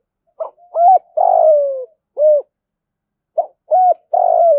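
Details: Captive spotted dove kept as a decoy and trained daily to coo. Two matching phrases of low, hollow coos, each a short soft note followed by two fuller coos, the last drawn out and falling. The background is quiet.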